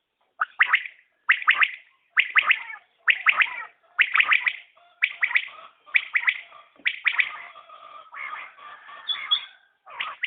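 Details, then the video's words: Repeated three-note call of a common quail. The crisp chirped phrases come roughly every second, then blur into overlapping, gargling chatter in the latter part. "Batair Ki Awaz | Common Quail Calling| Naye Batair Ki Awaz|New Recording Common Quail| Batair sounds"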